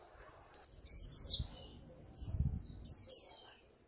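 Swinhoe's white-eye gives three quick bursts of high, thin twittering, rapid warbled notes sliding up and down, over faint low background rumble.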